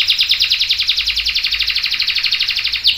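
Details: Canary in full song, a long roll used as a master recording to prompt other canaries to sing: a rapid, even trill of bright repeated notes, about eight per second, running nearly three seconds before a sharper note burst.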